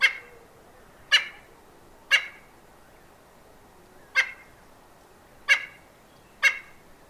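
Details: A Red-billed Spurfowl gives its harsh crowing territorial call, usually made from a low perch: six gruff, low crowing notes about a second apart, against a quiet background.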